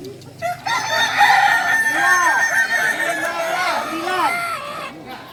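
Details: Kukuak Balenggek rooster, native singing chicken of Solok, at crowing performance practice. A long, continuous crow of linked, bouncing, arched syllables runs for about four seconds, over background clucking.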